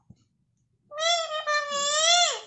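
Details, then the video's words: Pet parrot kept in a cage, talking like a human: after a brief click, a sustained, tonal, nasal voice-like utterance with a slight break midway, ending in a falling slur, in a small indoor room. "parrot is talking like humans || बाते करने वाला तोता"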